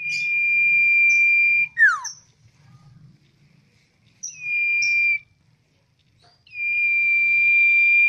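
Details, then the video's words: Tame, hand-reared and trained common iora singing long, steady, pure whistled notes held for over a second each, separated by pauses, with one quick descending slurred note and short high chips between them. "Cipow gacor jinak"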